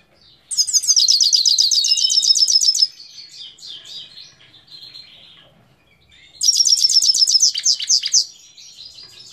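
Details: Himalayan goldfinch singing in Parachinar, Pakistan, recorded in 2022: two loud bursts of rapid, high, tinkling trills of repeated notes, each lasting about two seconds, separated by quieter twittering.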